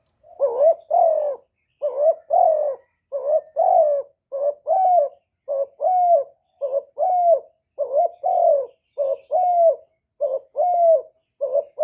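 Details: Spotted dove kept as a decoy for luring wild doves, cooing steadily in a clean recording: paired hollow notes, a short one then a longer one, repeated about once a second, with no other sounds.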